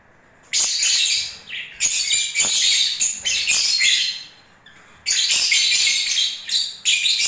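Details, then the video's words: Lovebirds during breeding season giving dense high chattering bursts, harsh twittering phrases of one to two seconds separated by short pauses, with sharp clicks between them. "Love birds singing and movements"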